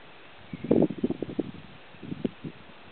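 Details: Black grouse at a lek near Kuusamo, Finland, in June 2008, giving low, bubbling cooing notes in two short bursts with a pause between, over faint rustling.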